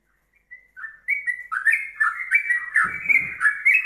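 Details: Yellow-vented bulbul singing a ropelan-style song used as tutor material for training songbirds: liquid whistled notes rising and falling in quick, bubbly phrases, with a brief low rumble in the background midway.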